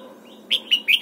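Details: Red-whiskered bulbul singing in the morning during song training: three short, bright slurred notes rising out of faint background, each a quick warbled chirp about a fifth of a second apart.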